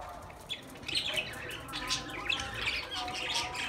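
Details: Budgerigars chattering: a steady run of short, scratchy chirps and squawks at moderate loudness, overlapping and irregular, with faint low background hum.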